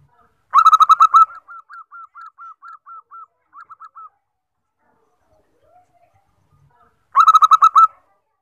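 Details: Zebra dove of the common fourteen-tail-feather type, used for luring birds: a rapid burst of low cooing notes speeds into a rolling trill, then softer evenly spaced coos follow before a pause and a second burst, in a quiet setting.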